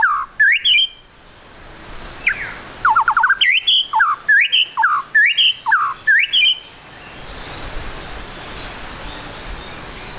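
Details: White-rumped shama song for luring birds into quick singing: a rapid string of sharp rising whistled notes and short rattles over about six seconds, then quiet background hiss.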